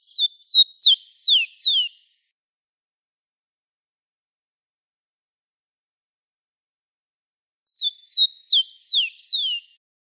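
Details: Rufous-collared sparrow (Zonotrichia capensis) recorded live for tutoring young birds, singing a short phrase of five high, clear, slurred whistles, mostly falling, repeated after a long pause; nothing else heard.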